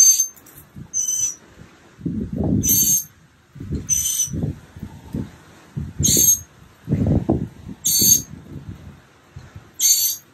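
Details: Day 15 of a mockingbird nest project, March 28th 2022, with chicks almost ready to fly: seven grating, hissing calls repeated every second or so over repeated low rumbling and rustling noise.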